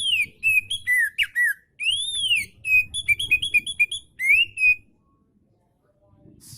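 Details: Oriental magpie-robin song for stimulating lazy magpie-robins: varied sequence of sweet whistles, arched slurs and quick repeated short notes across nearly five seconds, then quiet.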